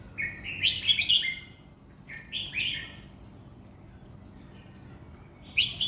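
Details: A competition red-whiskered bulbul in a cage gives two bubbly, whistled song phrases, then a long quiet stretch with only low hum before one more short note.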